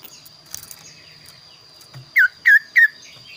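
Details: Kaso-kaso bird in full voice, a varied and unusual song: three loud, short whistled notes that drop in pitch, spaced about a third of a second apart, after quieter chatter, over a steady high electrical whine.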